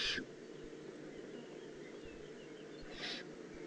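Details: Eurasian eagle-owl youngster, Eifel, 18 June 2016: a short rasping hiss right at the start, then a softer, fainter hiss about three seconds later over low background noise.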